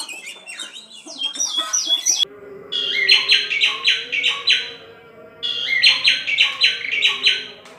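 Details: Oriental magpie-robin song: rapid, varied high sweeping whistles at first, then a phrase of clear rising and falling notes repeated twice in near-identical form, over a steady low hum.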